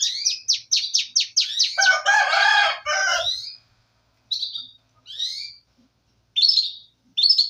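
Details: Canary song in clean quiet conditions: a quick train of identical high whistled notes, then a rich harsh warbled passage, followed by short separate chirping bursts with pauses.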